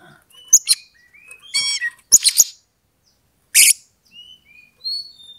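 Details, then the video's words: Oriental magpie-robin song used as a provocation to set off a rival for fighting. Crisp chips and a rapid ladder-like trill come between loud harsh bursts, followed by soft, clear whistled slurs. "pancingan kacer EMOSI NAIK PELAN - PELAN"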